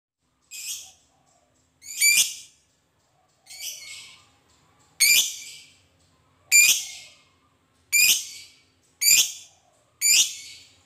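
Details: Fighter lovebird giving its long ngekek chatter, meant to provoke other lovebirds into answering: harsh, buzzy, high squawking bursts, each under a second, repeated about every one to one and a half seconds in an otherwise quiet background.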